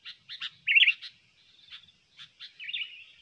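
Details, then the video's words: Trained sooty-headed bulbul, recorded as a lure and tutor voice, gives scattered short sharp chirps around two louder, rolling, bubbly warbled phrases, spaced over three seconds against a quiet background. "pikat burung kutilang"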